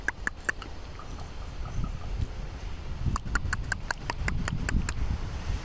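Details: A common raven in San Francisco makes strange, dry, wooden knocking clicks in quick bursts of about five or six per second, over a steady low rumble.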